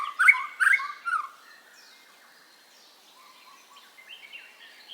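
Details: White-rumped shama song used to coax caged birds into singing: loud repeated rich warbled notes at first, then quieter, scattered whistled phrases over faint background noise.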